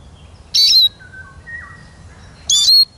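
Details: Two strident chirps from a Eurasian siskin, each trailing into a falling whistle, two seconds apart, with a soft, even, lower whistled note between them.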